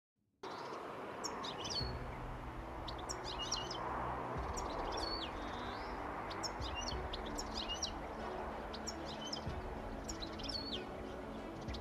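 European goldfinch singing quick, high tinkling twitters and chirps in loose bursts, over a steady background hiss and a low hum.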